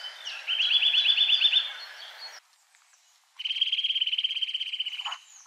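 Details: Eurasian Nuthatch singing in winter: two fast rhythmic trills of bright repeated whistles, separated by a second of silence, the second trill longer and more even.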